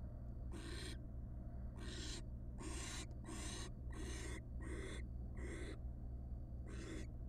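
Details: Barn owl, wild, in a nest box where the father delivers a huge rat the night the first chick hatched; eight rasping, noisy hiss bursts in quick succession, some nearly back to back, with constant low electrical hum beneath.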